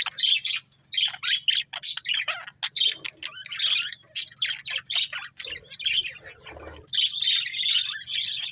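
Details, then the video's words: Breeding pair of budgerigars chirping continuously: dense bursts of bright, scratchy warbles and squeaky chirps, packed closely with brief gaps, over a faint low hum. "Cute Budgies Chirping Sounds | Love Birds Breeding Pair"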